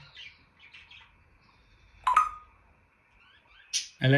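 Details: Captive African grey parrot at home producing mimicked sounds: soft whistled chirps, then sharp clicks and pops and a brief squeal, with a person talking nearby indoors.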